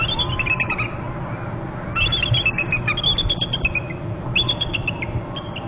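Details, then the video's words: Two bald eagles calling at their nest territory on Hornby Island, one hopping up a branch beside the other: three bursts of thin, high, stuttering piping notes, each series falling slightly, over steady low wind rumble. "eagle on left branch hops up with other eagle both are calling"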